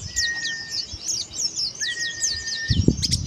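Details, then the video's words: Oriental white-eye singing in the open-beak dakbal style: rapid high chirps and short downslurred notes in a dense string, with a steady thin tone running beneath and a brief low rustle near the end. "CIRI KHAS BUKA PARUH PLECI DAKBAL"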